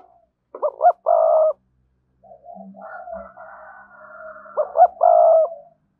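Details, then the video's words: Decoy spotted dove with a vigorous 'thúc' voice giving a loud, mellow coo phrase, then softer coos under a higher, rough bird sound, before the loud phrase repeats. "Tiếng cu gáy mồi chuẩn, con mồi có giọng thúc hay và sung"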